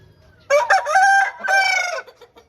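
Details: A single Aseel rooster crow, home breed, loud and close: a sharp start, a long sustained middle, and a drawn-out falling final note.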